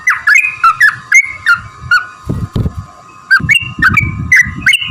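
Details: Bouncy whistled chirps of a sooty-headed bulbul in a lure song to prompt other birds to sing, notes coming in quick pairs, a short gap, then more, over low thumping noise and a steady hum.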